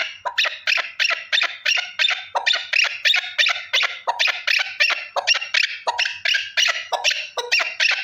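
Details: A lone male partridge utters a fast, steady train of harsh, scratchy chuck notes, about three each second, with no pause across the stretch.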